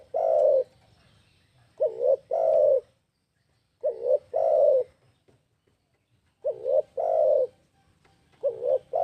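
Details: Spotted dove call for luring other birds: repeated phrases of low, mellow cooing, each a short wavering note then a longer rolling coo, coming every two to three seconds over faint low rumble.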